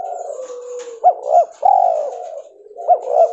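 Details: Mutant white albino spotted dove producing a soft trailing tone, then two brief rising notes and a long mellow coo, repeating the opening notes at the end.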